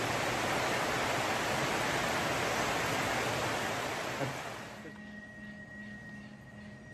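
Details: Steady broadband rushing noise, like wind or water, drops to a quieter background with faint steady hum tones and no animal calls.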